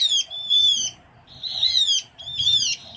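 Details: Opior Jawa, the Javan grey-throated white-eye, recorded as a bird lure on Java: three loud bursts of high, sliding, chattering whistles, each about half a second long, separated by brief pauses.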